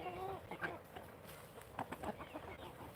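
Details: Chickens, including hens being mounted by roosters, cluck and squawk in short, uneven bursts in a busy coop with eggs in the nest boxes, under a low murmur of a man's voice.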